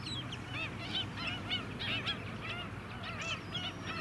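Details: Flock of White-headed Stilts, also called Black-winged Stilts, on Scarborough mudflats, Queensland, July 2017: rapid yelping notes rising then falling, many birds calling in quick bursts, with a constant low mechanical drone beneath.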